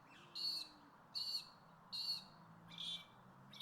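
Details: A territorial Magpie-lark pair calling from a roof by a lake in Cairns, Queensland, Australia, duets in loud, clear, ringing notes, about one every 0.8 seconds, over a soft background hum, telling others to keep away.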